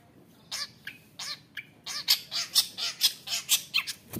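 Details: Caged long-tailed shrike raised from a young wild bird, singing aggressively to rile rival shrikes: a steady series of harsh, grating notes about two per second, growing louder and more evenly spaced toward the end.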